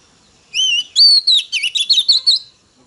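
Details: Female Oriental magpie-robin singing to excite male birds: a brief, loud phrase of clear high whistles, sliding notes followed by quick warbled, wavering syllables in rapid succession.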